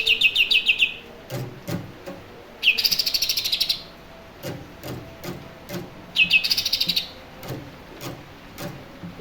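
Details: Young caged greater green leafbird from Berau, raised from a fledgling and tutored with phone recordings, practising song: three bursts of rapid, high, evenly trilled notes, each about a second long, with soft knocking thumps between them.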